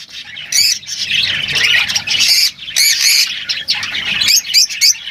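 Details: A flock of lovebirds giving shrill, grating squawks and rapid chatter, loud and dense throughout with brief lulls.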